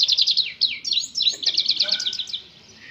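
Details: European goldfinch singing a lively, high twittering song: quick tinkling chirps and buzzy slurred notes tumble together in a dense run. The notes fade out toward the end, with faint background murmur beneath.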